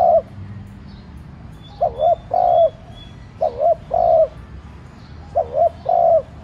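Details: Spotted dove kept as a decoy, cooing softly to provoke other doves; three regular phrases of a quick double coo and a drawn-out mellow hoot, with faint whistles from other birds.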